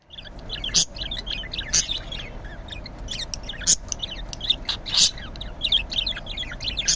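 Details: A green budgerigar in the morning chatters in a steady stream of quick, high chirps and warbled notes, broken by a few sharp clicks or scratches.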